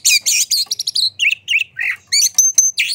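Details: Excited Oriental magpie-robin singing with fanned tail, played to trigger song in other magpie-robins: nonstop rapid phrases of scratchy chatter, squeaky whistles and clear piping notes, with faint low hum behind.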